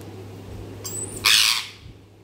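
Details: Parrot giving a thin high whistle followed by one loud, harsh, broadband squawk lasting about half a second, over a steady low electrical hum.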